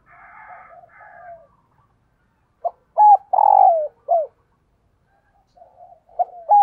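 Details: Spotted dove decoy cooing to lure wild doves: faint soft notes, then a short note, a doubled hoot, a loud drawn-out falling coo and a clipped falling ending, with another phrase starting at the close.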